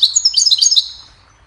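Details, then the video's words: Cheerful goldfinch melody for teaching songbirds: a dense flurry of high, jingling twitters lasting under a second, then a fading tail and quiet. "Goldfinch sings a cheerful melody to teach the birds goldfinch chirping"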